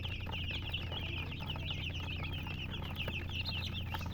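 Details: A flock of chicks chirps busily, shrill short peeps tumbling over one another without pause, above a constant low droning hum.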